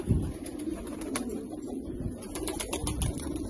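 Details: Rare Australian pigeons cooing in a low, throaty murmur, with a dull thump at the start and another near the end, plus scattered light clicks.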